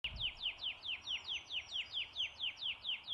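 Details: Rufous whistler singing in Pomingalarna Reserve, NSW, Australia: a fast, even run of about fourteen clear whistled notes, each sliding sharply downward, delivered roughly four per second with no pause; faint high tone in the background.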